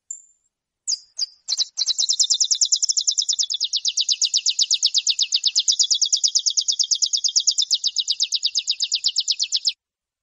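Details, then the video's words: Saffron finch singing the "metralha" style, recorded for tutoring captive birds: a brief high whistle and a few sharp notes open an eight-second rapid, even, rattling trill of buzzy high notes, with no other sounds. "CANTO DO CANÁRIO DA TERRA METRALA - PARA ENCARTE"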